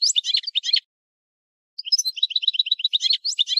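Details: European goldfinch singing: short clusters of sharp high chirps, a second of silence, then a lively run of tinkling twitters and trilled notes.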